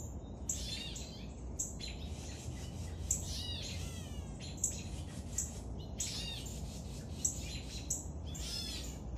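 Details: Woodpecker young at feeding: clusters of sharp, rasping high chirps and squawks in short bursts every second or so, some with falling sweeps, over constant low-pitched background noise.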